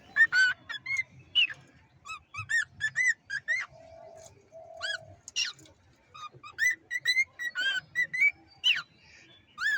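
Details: A cockatiel being hand-fed, on day 23 of a hundred-day challenge, repeating sharp chirped notes about twice a second, some clipped and falling, with two brief lower tones in between and a quiet room behind.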